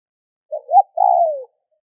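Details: One Spotted dove cooing phrase meant to set other doves calling: low short note, upswept hoot, and a drawn-out, gently descending rough coo, in silence.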